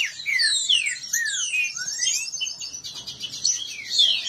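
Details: Captive green-winged saltator males in a singing dispute. Bright whistled downslurs open the passage, followed by rapid buzzy trilled notes and more whistles from overlapping birds.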